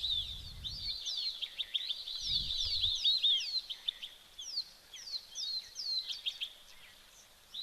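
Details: White-faced whistling ducks give a busy chorus of thin, high whistles, many birds overlapping, over low rumbling wind and rain at an African waterhole, 25 February 2025, late summer.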